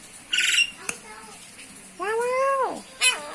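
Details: Common myna, Acridotheres tristis tristis: a harsh noisy burst, then a loud drawn-out nasal note bending upward and dropping away, and a short sharp squawk at the end.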